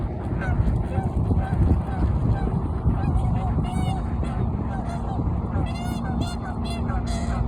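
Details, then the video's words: Canada geese squabbling over territory; scattered honks, sparse early then a cluster of louder stacked honks near the end, heard over a constant low rumble. "Canada geese are territorial カナダガン縄張り争い"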